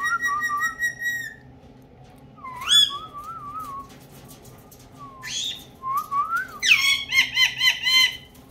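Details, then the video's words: Pet ringneck parrot that talks in Urdu and Hindi, giving wavering whistled phrases and sliding tones, ending in a burst of rapid, rhythmic vocal syllables over a low constant hum. "My Ringneck Talking Parrot Speaking in Urdu Hindi Languages"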